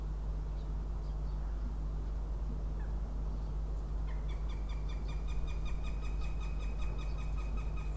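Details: Northern goshawk at its nest in Riga, Latvia, incubating eggs, recorded by a live nest camera on 6 April 2016. From about four seconds, a rapid series of sharp, harmonic-rich notes is repeated over a steady low hum.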